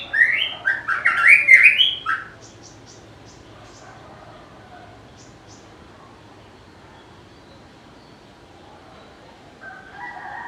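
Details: White-rumped shama, said to sing melodiously and mimic other birds, giving a dense two-second burst of tumbling whistles and chattering notes, followed by near silence with a few faint ticks and a soft whistle at the end.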